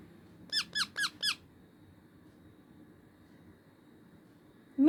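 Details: Pet baby parrot kept indoors giving four quick, evenly spaced squeaky calls in under a second, each note arching down, then a single louder harsher squawk after a pause; low room hum underneath.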